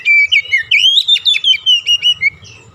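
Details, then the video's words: Oriental magpie-robin song meant to get a silent bird singing: a continuous, pulsing whistled phrase of about a dozen rapid notes at a steady pitch, fading at the end. "KICAUAN PEMIKAT DAN PERANGSANG BUNYI | Kacer stres macet bunyi langsung gacor"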